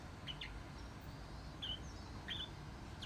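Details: Pet Bourke's parrot kept indoors, recorded before it began copying human speech. A few sharp, high, clipped chirps come in small pairs about every half second, with a constant low background hum.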